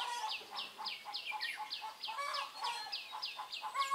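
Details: Decoy red-whiskered bulbul singing aggressively at a trapping site on 23 March 2018. Clear downward-sweeping whistles repeat quickly, several per second, over a steady layer of lower, buzzy harmonic notes.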